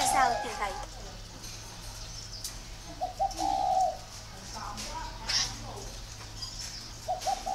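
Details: Spotted dove from a dove-keeping garden in northern Vietnam, voice style described as 'very taut'. Deep, rounded coos: one phrase at the start, another around three seconds, and a fresh coo beginning at the end. A steady low hum and scattered clicks run underneath.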